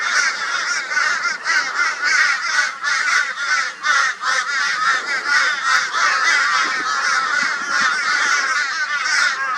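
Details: Brisbane, Australia, 22 February 2022: many crows harass a barn owl with high-volume raucous noise, a pulsing, throaty cawing chorus with sharp repeated accents and no pause.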